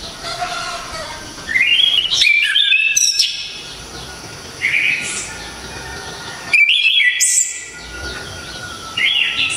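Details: Orange-headed thrush (anis kembang) from Java, singing loud, sharp, clear song with hard 'tembakan' bursts: two rich whistled phrases sweeping up and down, separated by a long pause, with softer notes in between over a low background hum.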